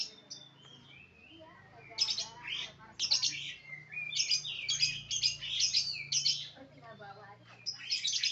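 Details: Lovebird chattering in bursts of harsh, shrill, high-pitched squeaks and twitters, with brief quieter gaps between bouts and a low background hum.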